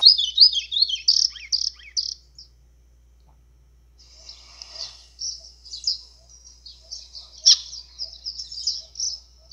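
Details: White-throated seedeater singing an azulão-style song used to fire up other birds: a quick run of sharp, high chirps, a silent pause of about a second and a half, then a long stream of rapid twittering notes.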